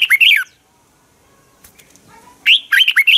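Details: Training song of a red-whiskered bulbul for pushing birds to sing in competition: a short warbled phrase, two quiet seconds with faint background chirps, then a longer rapid phrase of rich, rolling whistles.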